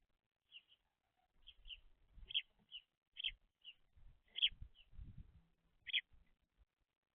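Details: Baby house sparrows, fluffy messy eaters at a seed feeder, give about ten short, bright chirps at an uneven pace over seven seconds, with soft low knocks and bumps underneath; recorded July 17th 2025.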